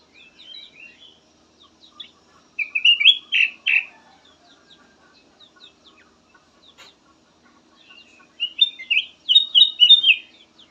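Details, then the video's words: Black-naped oriole with a soothing variety of song phrases: scattered faint chips give way to a loud cluster of whistled, partly harsh notes, then more soft chips and a final quick string of bright whistles. "VARIASI KICAUAN BURUNG KUTILANG EMAS SYAHDU DAN COCOK BUAT PANCINGAN"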